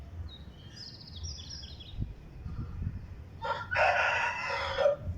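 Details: An Aseel rooster crowing. After low rumbling background noise and a few faint high chirps, a loud, harsh crow rich in harmonics bursts in near the end and holds for about a second and a half.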